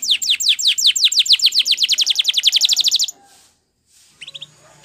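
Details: Spanish Timbrado canary training song: a rapid run of bright downslurred whistles, about three dozen in three seconds, ending abruptly, followed by near silence and a few faint notes.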